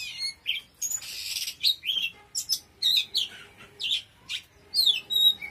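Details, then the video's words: Oriental magpie-robin in forceful full song, mixing clear high whistles, rasping scratchy notes and quick down-slurred phrases in a rapid, varied sequence with short gaps. "Choè than hót cực khủng"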